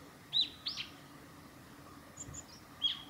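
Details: Japanese tit at Hayatogawa forest road, Lake Miyagase, Japan, late March 2020: a brief whistled two-note phrase, then faint high chips and one more clear whistled note, low steady background hum.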